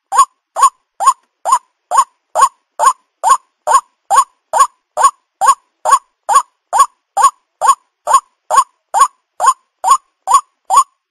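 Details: White-breasted waterhen lure recording used by bird catchers: harsh, croaking notes with a rough, nasal tone, repeated steadily about twice a second, with no other sounds standing out.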